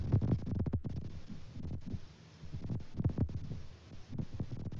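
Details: Muffled low thumps and rustling bursts in a small room, rising and fading in waves; no animal calls.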